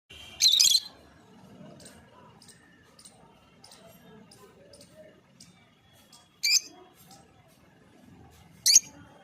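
A lovebird gives three harsh, shrill chirps spaced several seconds apart, with fainter soft twitters and a low indoor hum between them.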